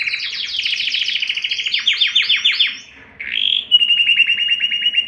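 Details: ['Canary song aimed at exciting both sexes for mating. Dense, rapid trills include repeated downward-sweeping notes. After a brief pause, a rising note leads into a steady, fast chattering roll.']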